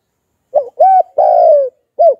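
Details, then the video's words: Spotted dove cooing in the 'hạp bổi' voice style, a lure call for wild doves: one short coo, an arched steady coo, a long slowly falling drawn-out coo, then a final short coo. Quiet background. "Tiếng Cu Gáy Kích Mồi"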